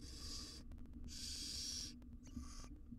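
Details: A wild barn owl mother tends and grooms tiny chicks inside a camera-monitored nest box in Israel; two long noisy hisses are followed by a shorter, fainter one, with sharp clicks and rustles between them.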